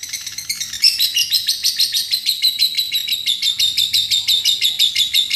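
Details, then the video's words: Champion lovebird singing, kept as master audio for training young lovebirds: a sustained rapid trill of shrill, buzzy chirps repeated steadily, rising slightly in pitch midway. "kicau mantap#kekek love bird# maeteran love bird gila# love bird juara"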